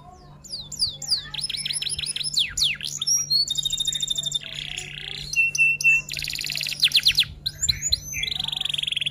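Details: F1 canary song for tutoring, long duration with rolls and tembak shots: a varied sequence of sharp sweeping whistles, harsh buzzy bursts and fast trills, changing phrase every second or so.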